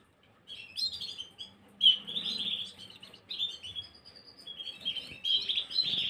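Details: Gloster canary song recorded 9 January 2023, a lively continuous warble of high chirps and rolling trills, with one sharp accented note early and a steady twittering stream afterward.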